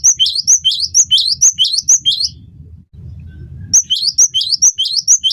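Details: Gelatik batu, or cinereous tit, in full vigorous song as a tutor recording: repeated sharp high notes each followed by a lower buzzy note, about twice per second, interrupted by a short lull of low hum before resuming.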